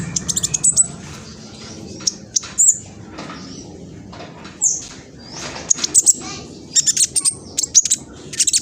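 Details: Juvenile (spotted-plumage) black sunbird in East Java, Indonesia, filmed on a phone, singing a fast, chattering lure song meant to provoke rival males; thin, very high sharp chips and short trills in scattered bursts over a low background hum.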